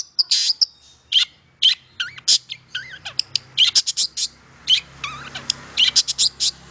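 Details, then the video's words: Long-tailed shrike song, played to stimulate silent shrikes to sing: a rich varied medley of sharp chips, harsh notes and whistled slurred phrases, bursts tumbling quickly one after another with short gaps. "KICAU INI AMPUH MERANGSANG CENDET BISU JADI GACOR"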